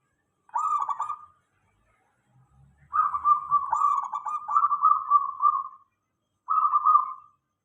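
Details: Local zebra dove song played as a lure to make other doves answer: three trilled, rapidly pulsed cooing phrases at a steady mid pitch, the middle one long and run together, with brief low rumbling between.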